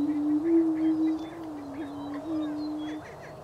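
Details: Greater prairie-chicken booming in spring in Wabaunsee County, Kansas: a low, steady hooting moan that holds for about three seconds with small wavering bumps. Faint chirps and cackles from other birds sound higher above.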